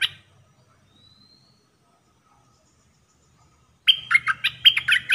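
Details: Dok taeng style song from a caged red-whiskered bulbul decoy used to lure birds for trapping. A long pause with a faint rising whistle comes before a burst of fast, chattering, warbled notes at the end.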